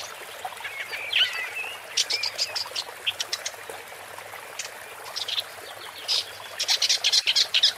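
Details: Woodchat shrike delivering a varied song: a short squeaky warble at the start, then clusters of dry ticks and scratchy notes, closing with a quick series of harsh chattering bursts.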